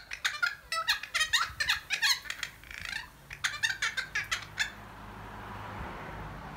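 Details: Two noisy friarbirds chatting in a holly fuchsia bush: a quick series of harsh, raspy squawking notes for about four seconds, then near-quiet background hiss.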